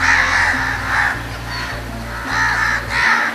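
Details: Harsh scold calls from crows reacting to danger, calls that summon other crows to mob a person. Four bursts of grating caws, some doubled, sound over a continuous musical drone.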